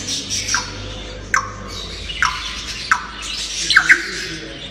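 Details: Playful talking grey parrot making a series of short sharp squawks and clicks spaced about a second apart, with rougher chattering sounds in between, over a low hum.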